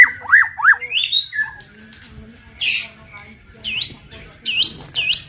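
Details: White-rumped shama song used to provoke other shamas into singing quickly: looping upswept whistles, a rising slur, a burst of harsh noise, then repeated U-shaped high whistles, with faint low background hum.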